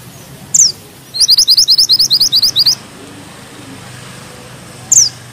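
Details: Mantenan gunung bushchat singing with tight rolling and sharp notes: a sharp downslurred whistle, then a rapid, even, very high trill of about a dozen notes, and a final sharp downslur.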